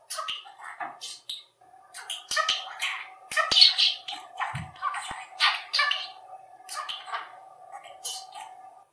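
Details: A male budgerigar chatters in Hungarian to himself and his owners, in rapid, scratchy, high bursts mixing chirps with squeezed-out mimicked words and phrases like "cuki madár", "szia" and "szép vagyok", over a faint steady hum.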